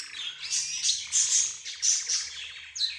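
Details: Budgerigars, zebra finches, a rose bird and a canary calling as a group. Bursts of loud, high, squeaky chirps come in waves with short buzzy rattles between them.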